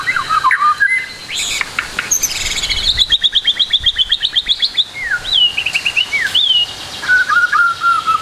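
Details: White-rumped shama full song used to coax silent birds into singing: varied whistles and slurs, a long rapid series of even repeated notes at about four per second, then falling whistled phrases and a trilled ending.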